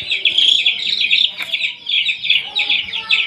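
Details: Newly acquired domestic chicks kept under heat with veterinary care; dense overlapping high-pitched peeps from many chicks, continuous chirping with short cheeping notes throughout.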